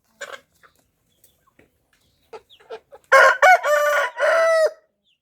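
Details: Rooster crowing: a few soft clucks and clicks early on, then from about three seconds a loud, strongly harmonic crow in several joined segments, rising then held level for roughly a second and a half.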